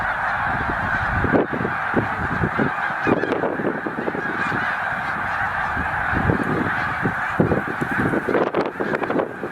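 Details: Snow geese in a migrating flock of about 100,000 at Middle Creek Wildlife Refuge, a northbound stop toward Arctic breeding grounds, late winter: a dense, continuous roar of overlapping honking calls, with flurries of wingbeats.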